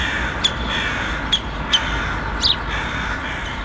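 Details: A fledged Syrian woodpecker chick, one of three raised by a pair nesting beside a city government building amid traffic, gives four short, sharp, scratchy calls at irregular intervals, over a steady background hiss.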